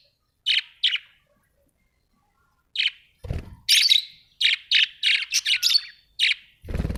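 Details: Australian budgie parrots chirping in a fast series of sharp high notes that grows busier toward the end, with a couple of low thuds mixed in.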